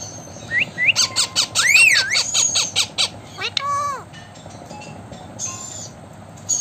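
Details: Blue Indian ringneck parakeet talking, with words like "thank you" and "I love you" amid a rapid burst of harsh, repeated squawks and swooping, rising-and-falling whistled notes; a few high chirps follow after a pause.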